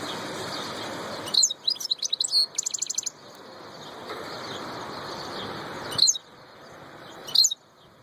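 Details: A royal European goldfinch sings clusters of bright chirps and a short buzzy pulsed trill, followed after a pause by two isolated sharp high notes; background hum and hiss between phrases.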